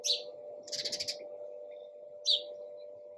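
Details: Chirping sparrow: one sharp chirp, a rapid burst of about six pulsed notes, then another clear chirp, set against a steady low electrical hum.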